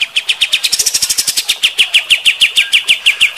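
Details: White-shouldered triller, kapas tembak, in an intense rough burst: a continuous rapid run of sharp, downslurred notes, roughly six per second, briefly brighter and buzzier near the start.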